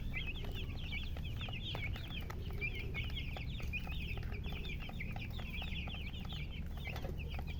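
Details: A group of baby chicks giving quick, high, slurred peeps in an uneven, continuous chorus, slightly quieter, set against a constant low hum and occasional soft clicks.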